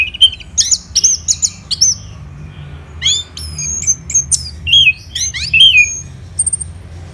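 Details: From Kubutambahan near Singaraja, Bali, an orange-headed thrush sings in the morning: loud clipped whistles and chips in quick clusters, a pause, then looping slurred notes and a final thin high whistle.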